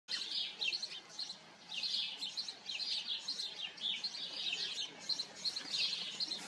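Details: House sparrows in a colony, a dense chorus of overlapping chirps in bursts that swell and fade over several seconds, with no other clear sounds.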